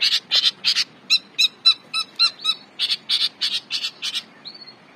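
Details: Long-tailed shrike singing energetically as a training master for songbirds. Harsh buzzy chatter gives way to a run of clearer, ringing, layered notes. The harsh repeated notes then return, ending with a short thin whistle.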